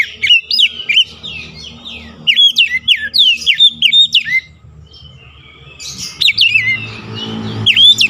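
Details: White-rumped shama song used to lure and stimulate other birds: loud, varied whistled phrases with sharp upsweeps and slurred notes in rapid series, a short pause midway, then more whistles over low rumbling background.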